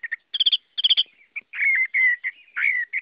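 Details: Chinese hwamei singing: quick clusters of sharp high chirps followed by longer, rich slurred whistles that drop slightly in pitch, delivered in a varied, energetic phrase.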